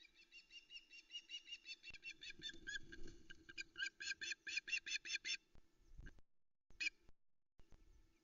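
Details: Female osprey waiting on a nest at Loch Arkaig, Scotland, at misty dawn on 13 August 2020, before a male delivers a brown trout; a rapid series of shrill, pulsed chirping calls for five seconds, then a brief call, over a steady low hum.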